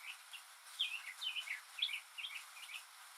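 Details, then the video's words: Northern mockingbird singing alone on a rainy day, mimicking other birds and sounds: a lively burst of varied chirps and warbled syllables, several repeated in pairs, with rain hissing behind. "マネシツグミの「雨に唄えば」Mockingbird's "Singin' in the Rain"!"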